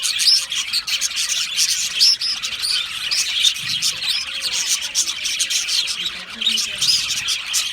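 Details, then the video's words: Australian budgerigar colony in an aviary, lively overlapping chirps with several clear upslurred whistled notes standing out above the dense, rapid twittering of the flock. "Budgie parrot chirping sounds"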